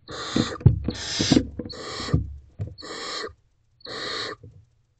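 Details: Nest box of barn owl owlets at night, young stumbling over each other toward their mother: five harsh hissing screeches, each about half a second, in a steady series, with thumps of movement early on.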